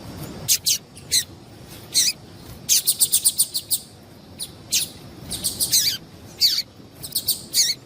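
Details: Female double-collared seedeater calling, a call used to make males sing: quick, high, thin chirps in short bursts and a rapid run of about seven chips, repeated across the clip over a quiet background.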